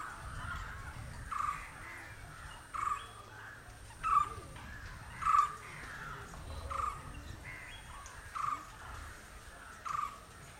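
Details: Green Indian barbet calling with a short clipped note repeated at somewhat uneven intervals of one to two seconds, seven notes heard above a steady background hiss and hum.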